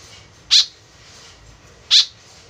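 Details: Eagerly calling white-breasted woodswallow used as a lure, giving two brief harsh rasping notes roughly one and a half seconds apart over a faint steady hiss.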